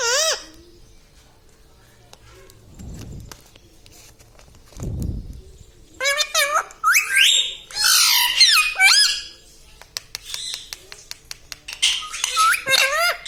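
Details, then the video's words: Talking parrot, or tota, said to say phrases like "papa mummy" and "me tota". A quiet start with two low thumps gives way to loud, harsh, wavering squawks and rising screechy notes in rapid bursts over the last seven seconds. "Papa Mummy Bolne Wala Tota - Talking Parrot - Me Tota Me Tota"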